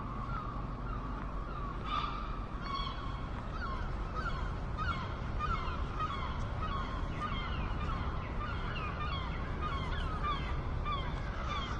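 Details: Seagulls in a noisy chorus, many overlapping mewing, yelping calls stacked over a steady low rumble of wind or surf.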